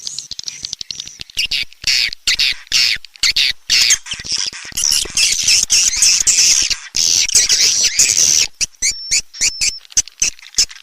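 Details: Calling sound used to attract swiftlets, the Raja Kalimantan style from Borneo: continuous harsh squawking chatter cut by dense clicks, with a short thin level whistle near the end.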